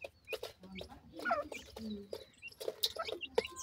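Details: Francolin chicks being fed by attentive parents; thin high chirps sweep down in short bursts among soft low clucks and sharp clicks, with busy overlapping calls throughout.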